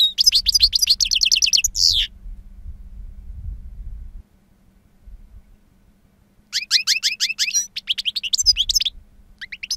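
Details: European goldfinch, two years old, delivering wild-style song with powerful timbre and long calls: two-second bursts of rapid chattering twitters, a pause of about four seconds, then another fast tinkling run of notes.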